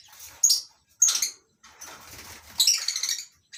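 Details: Several lovebird kinds, among them masked and Fischer's, sharing a mini aviary at a breeding farm in the morning: harsh shrill squawks in three bursts, with rustling and wing flutter between them.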